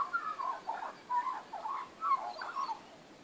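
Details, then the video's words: Backyard magpies on 19 April 2014 carol in short fluty phrases, several melodic warbled bursts with sliding notes about every half second, clear against a quiet background. "Magpies backyard"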